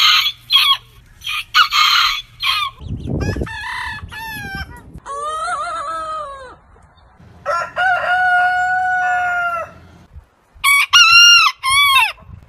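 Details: Heritage chicken breeds crowing in turn: harsh, noisy bursts, a low rumble, several wavering crows of different pitches, a long level crow near the middle, and a final bright, choppy crow.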